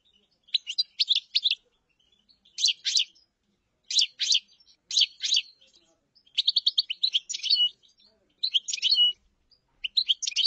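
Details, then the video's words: Clusters of sharp, high chirping notes from a common chaffinch, given in short bursts about every second or two, some running into brief trills. Silent background. "تغريد تبلاط"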